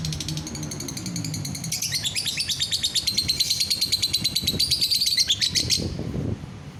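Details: Caged lovebird singing to set other lovebirds off: a fast, rattling chatter of high buzzy notes, rising into a dense trill of pulses held for several seconds before breaking off, with low room rumble beneath.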